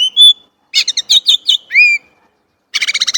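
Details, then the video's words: Song of a Chinese blackbird, loud and close: a clear whistle, a run of jumbled chattering notes, a rising slurred whistle, then a fast rattling series of about eight harsh notes. "烏鶇(黑鶇)的叫聲/Sound of Chinese Blackbird"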